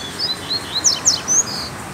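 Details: Free-flying black Double-collared Seedeater, not caged, recorded on a Sunday trip home: a two-second run of thin, high chirps and sharp downslurred notes, the loudest notes near the middle, over steady low background hiss.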